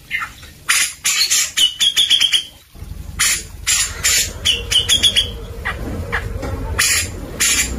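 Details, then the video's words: Grey-cheeked bulbul in active song, played as training material for white-rumped shamas: rapid run of harsh, scratchy notes mixed with short bright whistled trills, then sparser rasping notes over a low rumbling background. "Suara cucak jenggot gacor buat masteran murai batu"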